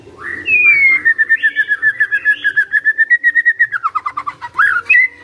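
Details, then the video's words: A Magpie-robin sings one long, even, rapidly repeated series of fluty notes that wavers slightly in pitch for about five seconds, ending with sharper notes. A soft low hum underneath. "Murai Nyaut Gacor"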